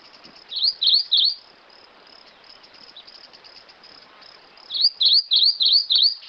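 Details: Three high, slurred whistles from a Rufous-crowned Greenlet, a quiet pause with faint hiss, then a longer run of five swooping notes at an even, brisk rhythm.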